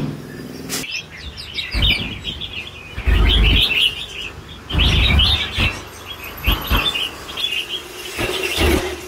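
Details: Mature red-whiskered bulbul in super lân bổi song: bursts of lively, sweet chirruping phrases, each a second or so long, alternating with heavy thumps and rattling knocks nearby.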